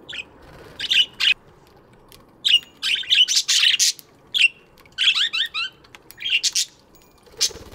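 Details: Morning chatter of budgies in an aviary: dense warbling chirps, quick rising and falling squeaks and harsh notes packed closely together, several birds overlapping.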